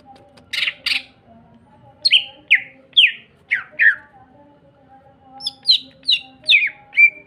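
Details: Greater green leafbird singing to provoke other green leafbirds: two harsh noisy bursts, then a series of sharply descending slurred whistles repeated about every half second, ending on a level whistle, with a faint hum behind.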